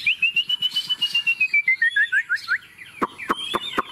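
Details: Tame Chinese hwamei on a table delivering a confident song: a fast string of clear whistled notes gradually descending in pitch, then several sharp click-like notes.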